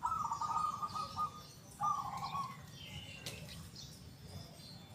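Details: A local zebra dove sings in its big, loud and clear 'kung' style. Two quavering coo phrases come at the start, then the bird falls silent while other small birds twitter faintly.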